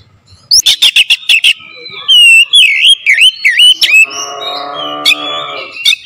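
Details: Oriental magpie-robin lure song: a quick series of sharp staccato notes, then looping whistled phrases, followed by a lower, harmonically rich drawn-out sound partway through.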